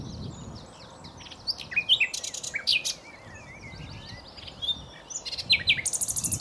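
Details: Nightingale delivering varied song: soft warbling and slurred whistles broken by loud ringing clicks and a rapid closing trill of repeated notes.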